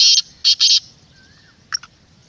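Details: Black francolin calling, its sound played to make wild francolins answer: three loud, harsh, grating bursts in quick succession, then a short quieter double note, with a faint thin whistle in the background.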